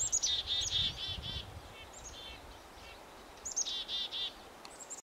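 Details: A Red-breasted Nuthatch (Sitta canadensis) gives short runs of nasal, tinny 'yank' calls, four to six quick notes at a time, with a faint low rumble behind.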